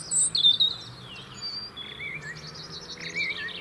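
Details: A UK robin sings to maintain its winter territory, giving high sweet notes that slide and waver, with a second bird's high trilled phrase overlapping later.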